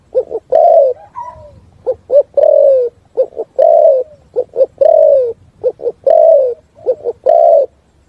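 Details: Full 'thúc gù' song of a spotted dove echoing through forest: repeated phrases of two or three quick, low, hollow notes each followed by a long downward-sliding coo, loud and rhythmic over a quiet background.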